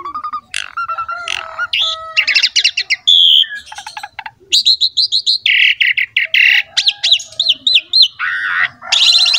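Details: Asian pied starling singing loudly while pumping, a recording played to lure other starlings into song: varied medley of clear whistles, harsh buzzy bursts, rapid ticking trills and upslurred notes, with brief pauses between phrases.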